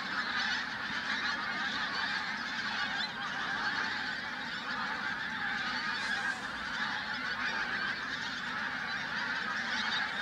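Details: At Flitcham on 5 January 2017 a flock of pink-footed geese keeps up a continuous clamour of overlapping honking calls, fairly even in volume.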